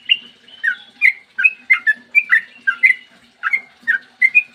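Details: Morning 'ropel panjang' song of a Sooty-headed bulbul, played to provoke other bulbuls to sing; a steady chain of bright liquid whistles, each slurring between low and high pitch, with a brief break near the end.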